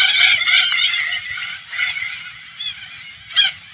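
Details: Alexandrine parakeets swarm an organic farm in rural Thailand, hundreds of birds together. Loud, rasping squawks fade into softer chatter, and a sharp screech bursts out near the end.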